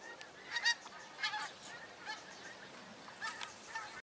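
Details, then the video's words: Geese migrating south over north-west England, a distant flock giving scattered nasal honks in irregular bursts against a steady background hiss. "GEESE MIGRATING SOUTH"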